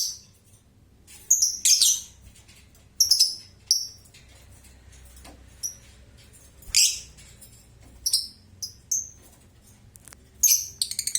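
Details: Lovebird ngekek chatter: scattered short, shrill high bursts, irregularly spaced, some louder and harsher than others.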